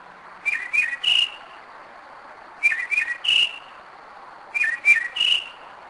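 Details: Night song of a Northern mockingbird at 2am in Kennesaw, Georgia; a phrase of three whistled notes, two sliding downward then a higher steady one, repeated three times at even intervals of about two seconds.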